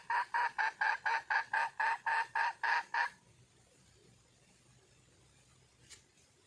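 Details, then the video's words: Wild junglefowl hen calling for a male: twelve quick, harsh clucks at a steady pace of about four per second, ending abruptly and followed by near silence. "le bruit d'une poule sauvage,เสียงไก่ป่าร้องหาถู่หาตัวผู้,ສຽງໄກ່ປ່າຮ້ອງຫາຄູ່ຮັກ, poj qaib qus see"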